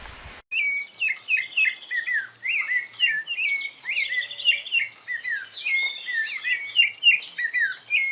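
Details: Rufous-bellied thrush (sabiá-laranjeira) giving its soft 'timid' song in the wild: a continuous, fast run of varied chirps, short whistled slurs and twitters, densely packed without pauses, over a quiet background.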